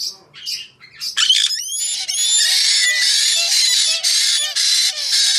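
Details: Some soft, scattered squawks lead into rising whistled notes, then a long run of loud, rasping screeches from a white-bellied parrot.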